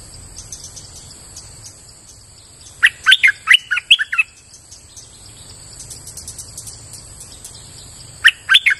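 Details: Streak-eared bulbul: after a quiet stretch with high insect-like buzzing, one short phrase of bright staccato chirps, then silence and the start of another phrase.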